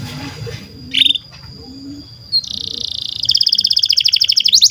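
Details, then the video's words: Canary singing, a long lively song for training young canaries and silent birds: quiet noisy background with a brief chirp, then a fast buzzy trill rising in loudness, shifting into a higher rolled trill. "SUARA BURUNG Kenari GACOR PANJANG INI Cocok untuk Masteran KENARI PAUD dan Kenari Macet BUNYI"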